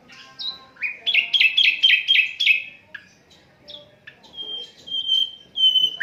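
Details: Asian brown flycatcher song, recorded without editing to serve as a tutor for songbirds: a rapid run of six downward-slurred chirps, then scattered notes and a few thin level whistles.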